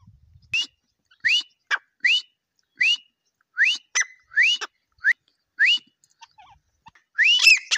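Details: Repeated shrill, upward-sweeping whistled notes from a grey francolin, spaced roughly every half second with short pauses, one doubled note midway, ending in a louder, harsher burst.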